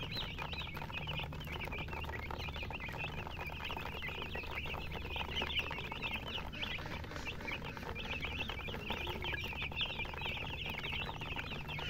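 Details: Baby chickens giving a continuous chorus of sharp, bending high cheeps, many voices overlapping, with light tapping noises and a low hum beneath.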